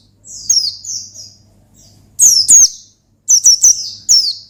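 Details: Gacor ngalas song of an Oriental white-eye, used to summon and stir up a rival: a soft run of high falling notes, then two loud bright bursts of rapid descending chirps, with a low electrical-sounding hum beneath.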